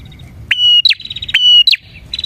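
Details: Bar-winged prinia in full, lively song, a recording meant for luring prinias. Two quick phrases of level whistle plus falling note, each followed by a buzzy trill, fairly close and clear.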